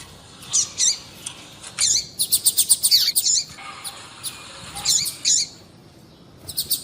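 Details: Female papa-capim (double-collared seedeater) 'piadeira' calls used to excite males into singing: scattered high chirps, then a quick run of rapid ticking notes, then more spaced sharp chirps.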